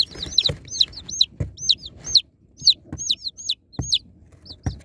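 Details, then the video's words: Baby chicks being unboxed peep in dense bursts, high sliding notes clustered between short gaps, with occasional sharp taps or knocks from handling. "Unboxing Cute Baby Chicks| Chicks Relaxing Sound Effects"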